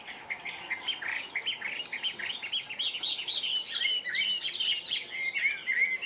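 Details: Chinese hwamei, a caged bird kept for its strong song, delivers a fast string of clear whistled notes and slurred phrases, each rising and falling quickly, with a few sharper high notes near the end.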